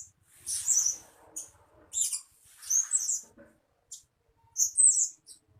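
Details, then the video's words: {'caption': 'Blue-crowned hanging parrot decoy calls used to lure birds. Scattered shrill, squeaky chirps and short twitters are separated by brief pauses, with faint low tapping in the background.'} "Suara-Suara Denak Pemikat Burung Serindit Dada Merah"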